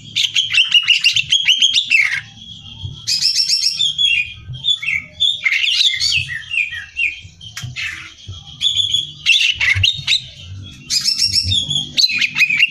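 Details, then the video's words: Greater green leafbird in full song as competition training material, repeated dense bursts of chattering trills and sharp whistles separated by short pauses, with low rumbling background noise. "Cucak Hijau Gacor Hiper Ampuh Buat Bahan Lomba"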